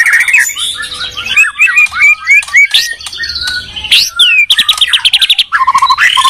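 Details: Medan and Borneo white-rumped shamas dueling: varied phrases of clear up-and-down whistles, sharp chips and quick rattling trills, delivered in bursts with brief gaps.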